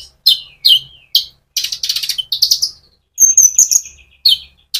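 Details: Sunbird (konin) singing energetically in rolling style, used to stimulate other sunbirds. Quick series of high, descending chip notes runs into rapid rattling chirp phrases and thin piercing whistles, with brief gaps between bursts.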